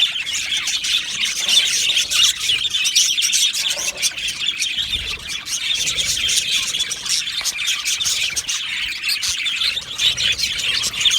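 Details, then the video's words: Aviary of Australian budgies, recorded 12 July 2025, with a long stretch of lively communal chirping: overlapping tweets, warbles and squawks rising and falling in intensity. "Australian Budgie Chirping Sounds"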